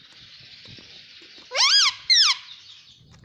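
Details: Pet parrot, called mithu, talking indoors; two loud harsh squawks rising and falling in arches, over a steady background hiss.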